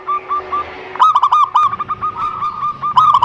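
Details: Zebra dove song used to prompt other doves: a few soft hooked notes, then a fast, loud, ringing run of rolling notes over a noisy, rumbling background.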